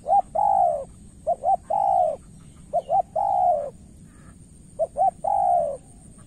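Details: Spotted dove in Cà Mau, Vietnam, cooing in a decoy-bird contest with a seasoned rival. Three phrases, each two short clipped notes followed by a longer slurred, slightly falling coo, with soft chirps in the background.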